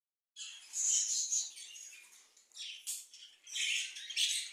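Budgerigars chatter in high, scratchy warbles and chirps, several voices overlapping.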